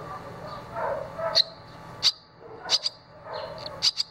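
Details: Barn swallow chicks, two of which have just left the nest (one flew and returned), give sharp, high chirps singly or in quick pairs, about five in four seconds, over a soft lower background murmur.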